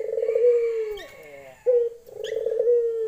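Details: Barbary dove hen calling to a male, lenjeh style: a long rolling coo with a slight tremor, a short pause, then a second sustained purring coo, each tailing downward.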